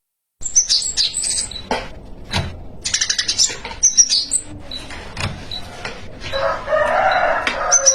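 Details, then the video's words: Spiderhunter in lively, chattering 'gacor' song with 'isian' content: rapid high thin chirps and short whistled notes in bursts, interrupted by several dull knocks, with a broad noisy rush near the end. "Pijantung Gacor Isian Viral"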